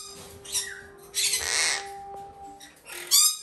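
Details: Captive female Red-shouldered macaw, hand-raised from a chick and bred domestically, giving harsh, broadband squawks: a short one, then a long raspy burst lasting about half a second, then a final loud screech. A steady faint tone hums underneath.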